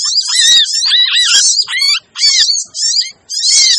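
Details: Sogon lure recording, noisy and aimed at difficult birds: shrill, scratchy chatter layered over looping whistled notes that rise and fall, in four or five bursts with two brief pauses.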